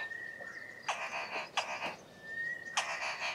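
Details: Southern boubou (Laniarius ferrugineus) calling from thick bushes in a valley, its 'car starting' call: a long, steady mid-pitched whistle, harsh grating bursts like an engine turning over, then a shorter rising whistle.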